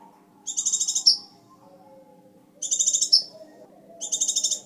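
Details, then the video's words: Scarlet minivet in full song, recorded for training other birds: three bursts of rapid, very high chirping notes about two seconds apart, each ending in a sharp slurred note, over a faint low hum. "Suara sepah raja merah gacor cocok untuk masteran"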